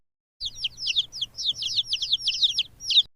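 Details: Chick peeping in a quick, continuous run of thin, high, downslurred cheeps, several each second, with a louder peep at the end.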